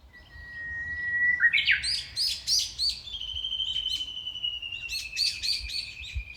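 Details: Small birds singing along a shaded walkway in Nishinokubo Park, Hondo-machi, Amakusa, Kumamoto, on a hot early-summer day: a long steady whistled tone, then a burst of bright chirping notes, then another drawn-out high whistle with more chirps over it.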